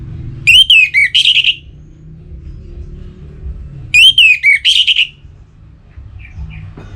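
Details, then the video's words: Caged orange-headed thrush (anis merah) from north Bali, Singaraja, in breeding condition and calling a rival. It gives two loud phrases about three seconds apart, each a falling whistled slur followed by rapid buzzy bursts, over low background hum. "ANIS MERAH Gacor Pancingan Birahi & EMosi Burung || Kicau memanggil lawan"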